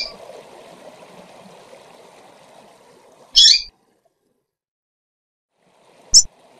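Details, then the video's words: A female double-collared seedeater calls to excite males: a loud, buzzy high note, then a short sharp chip. A low background rush fades, then cuts out, leaving near silence between the calls. "Fêmea de Coleiro Chamando para Esquentar e Foguear Qualquer Coleiro ou Papacapim!!!"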